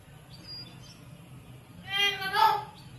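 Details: Common hill myna mimicking English and Visayan speech: after a quiet start, a short voiced, speech-like phrase of about a second with strong stacked harmonics rises out of a low background hum.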